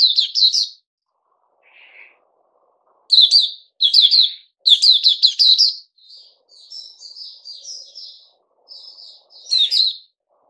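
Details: Puteh Raja bulbul given fruit juice, a mealworm and a health booster, dated 08-05-2021: loud clusters of sharp chirps alternate with softer, drawn-out warbling notes and a short low buzz.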